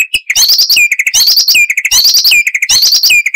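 An Icterine warbler sings a loud, high jumble of chattering, whistled and squeaky notes, repeating the same short phrase about every 0.8 seconds.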